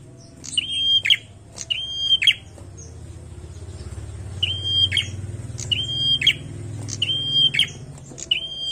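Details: Bar-winged prinia singing hard: high piercing whistles, each cut off by a buzzy burst, in a string of repeated phrases with a brief pause midway; steady low rumble in the background.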